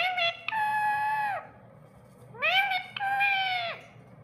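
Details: Pet parrot talking, repeating the word "mittu": two drawn-out, tonal, speech-like utterances with rich harmonics, each about a second long with a short rising onset, separated by a quiet pause.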